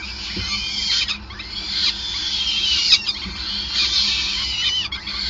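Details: Nesting peregrine falcons at Gasunie in Groningen, 5 May 2020, during feeding; loud, piercing squeals rise and fall in near-continuous waves, a few sharp clicks, and a soft low hum in the background.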